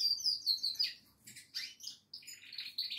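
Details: Goldfinch giving a brief twittering phrase of high repeated notes followed by softer scratchy chirps and a short buzzy trill.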